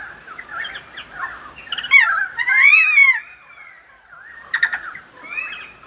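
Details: Sydney pied currawong singing in rainfall, giving rich fluty whistles and a loud rising-then-falling ringing phrase, followed by quieter gurgled notes and a brief crackle, against a gentle hissing background.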